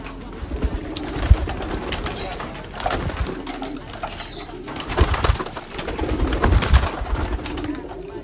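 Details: Domestic pigeons, paired with a bird from Japan, coo softly and deeply in several drawn-out phrases. The coos are mixed with wing flaps, clattering knocks and brief human voices.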